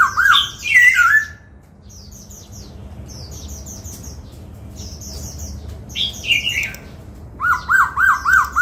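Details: Laughingthrush trained to sing the 'bắt cô trói cột' voice while dancing: rich warbled whistles open, a quiet gap of high twittering from other birds, a falling slurred phrase, then five fast arched notes in a row.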